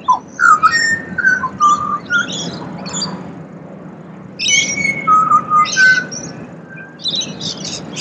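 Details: Australian pied butcherbird delivering melodious whistled phrases, notes sliding down step by step, mixed with higher chattering chirps from other birds and a steady low hum.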